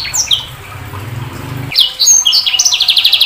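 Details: Sanger bird song: faint high notes over a low hum, then from the midpoint a loud burst of high whistles and fast buzzy trilled phrases.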